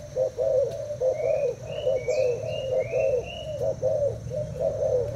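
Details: Thai-type spotted dove kept in a cage, cooing against a decoy bird: throaty rolling coo phrases about once a second, while another bird adds a series of short rising whistles in the background.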